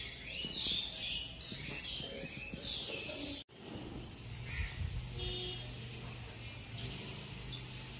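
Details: Sparrows chirping at Rushikonda, Visakhapatnam: a dense, overlapping chorus of high twittering chirps from several birds for about three seconds, then an abrupt cut to quieter background with a low steady engine-like hum and occasional faint chirps.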